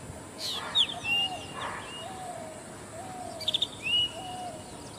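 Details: Zitting cisticola, heard rather than seen: short sharp high notes and upward-sliding whistles repeated twice, separated by softer lower sweeping sounds, with a persistent high-pitched hiss behind.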